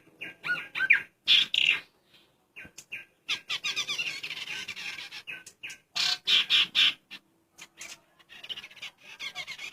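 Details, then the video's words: Ciung air pair, a male and a female matched naturally, giving bursts of sharp, squawky chirps in quick uneven runs separated by brief silences, loudest near the first and sixth seconds. "burung ciung air jantan & betina jodohan alam"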